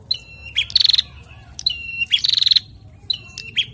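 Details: A pair of bar-winged prinias, male and female, sing in alternation. Each of the three phrases has a sliding whistle, a sharp chip and a rapid buzzy trill, with phrases about one and a half seconds apart.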